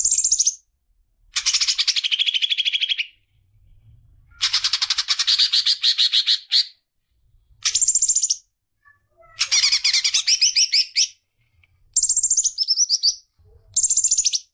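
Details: Greater green leafbird singing to stimulate young birds, delivering seven separate bursts of fast, harsh, buzzy chattering notes, each lasting one to two seconds, separated by short silences, with high, bright upper tones throughout.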